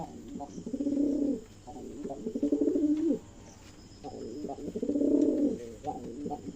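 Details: A pair of silver Jalali pigeons cooing at night in deep, resonant, rolling phrases, each about a second long, with short pauses between; faint background hum and a little speech-like noise.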